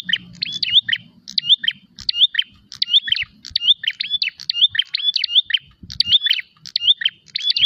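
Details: Prinia calling vigorously while fighting and seeking a rival: a short sharp phrase of high chirps with a quick upslurred whistle, repeated over and over at a steady pace of roughly one per second, faint low rumble beneath.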